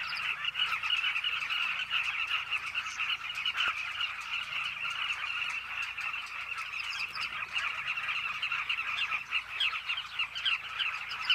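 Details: Chorus of Carmine bee-eaters at their cliff nesting colony, with a constant overlapping mass of rough, trilled calls and short louder notes popping out over it, steady throughout.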